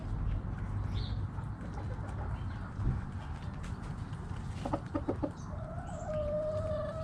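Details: Backyard chickens: a few short soft clucks around the middle, then a faint drawn-out steady call near the end, over a constant low rumbling background.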